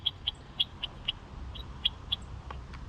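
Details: Bushtit; contact calls; birds calling back and forth to each other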